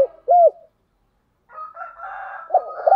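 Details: Spotted dove used as a decoy: one clear arched coo, a pause, then softer layered murmuring sounds ending in two short coo notes.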